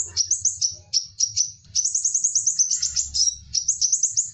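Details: High-pitched twittering from a Crimson sunbird, used as a lure for wild birds: quick sharp chirps running into a nearly continuous thin chatter, steady in pitch, with faint low background hum.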